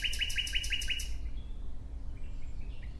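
A nightingale sings a fast run of six bright, ringing notes in about a second, then softer scattered notes, over a low steady rumble.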